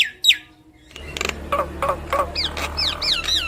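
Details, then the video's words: Head-bobbing yellow-eyed Javan myna in energetic song that prompts other mynas to join in. A couple of downslurred whistles are followed by a low hum and a series of chattering notes, ending in looping up-and-down whistles. "Jalak Kebo Mata Kuning Gacor Manggut Manggut Bikin Burung jalak Kebo Yang Dengar Ikut Gacor Manggut2"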